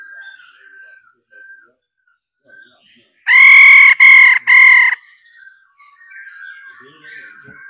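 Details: Female laughingthrush calling to stimulate males to sing: three loud, harsh, nasal bursts in quick succession, each about half a second, with faint thin whistled notes before and after.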